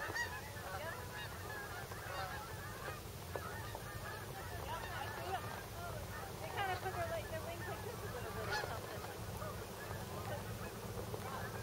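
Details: Migrating geese descending into Bombay Hook National Wildlife Refuge, eastern Delaware shore, USA; continuous clamour of many overlapping honks, rising and falling over a low steady rumble.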